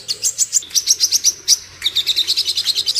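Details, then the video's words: Sooty-headed bulbul, locally called sogon, in fighting song: quick runs of high, scratchy chirps repeated several times a second, broken by one short pause, with a soft background hum. "suara sogon tarung"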